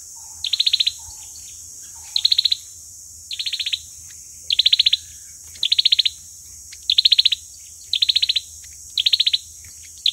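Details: Fighting song of an olive-backed sunbird, played as a lure for trapping: bursts of fast ticking trill repeated roughly every second, a few soft lower notes early on, over a steady high-pitched hiss.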